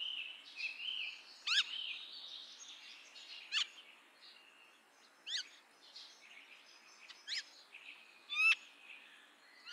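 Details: Common myna calling over a busy background of soft chattering, with loud sharp sweeping notes breaking through about every one to two seconds, several rising steeply, amid continuous twittering from other birds.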